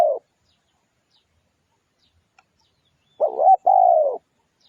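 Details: Spotted dove singing on a lure recording: the tail of one coo, a gap of about three seconds, then a two-part phrase of a quavering short coo and a long smooth coo.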